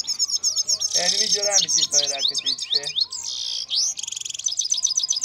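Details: Trained European goldfinches singing during pairing: a fast, dense stream of high twittering and tinkling notes with buzzy rattles and rising sweeps, about four notes a second, over a faint steady low tone.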